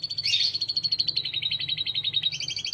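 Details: Canary song, a long-running performance: a high, rapid rolling trill of pulsed notes that shifts pitch partway through and then continues at a new pitch without pause.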